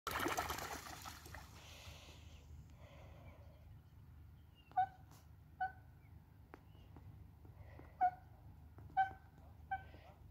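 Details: Coots fighting and trying to drown each other on the Sankey Canal at Fiddlers Ferry; splashing at the start, then short, sharp, hollow calls ring out every second or so.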